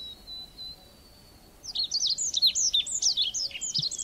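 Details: A thin steady tone is followed by a red avadavat bursting into fast, high, squeaky chirps that tumble up and down in pitch and continue for over two seconds.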